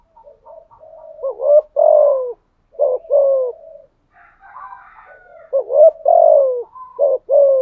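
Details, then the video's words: Decoy spotted dove giving repeated 'thúc gù' coos in 'giọng thổ' voice: murmured lead-ins, rolling falling coos, a burst of soft bubbling notes, then more loud coos in quick succession. "chim cu mồi thúc gù liên tục"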